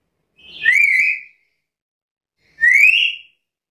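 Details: Black-capped lory, described as vocally lively, giving two loud, clear whistled calls that rise in pitch, each lasting under a second, about two seconds apart, with silence in between.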